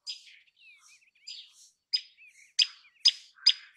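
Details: Common tailorbird giving bright, clipped notes that come faster toward the end, roughly every half second, over soft twittering and sliding whistles from other small birds.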